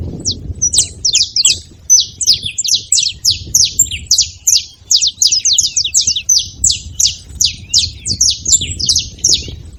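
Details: Busy chatter of saffron finches at a feeding place: dense, rapid, high chirps sliding downward, overlapping at times and running almost continuously, with a low murmur underneath.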